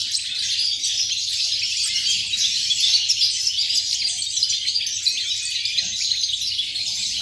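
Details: European goldfinch recorded 8.11.2018, singing a continuous rush of sharp, liquid twitters and chirps high in pitch, busy and rapid throughout, over a quiet low background hum.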